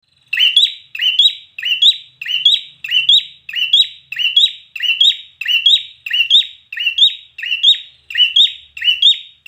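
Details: Red-whiskered bulbul singing in competition style, a bright whistled phrase with a rising, looping end, repeated steadily about every 0.6 seconds with no other clear sounds.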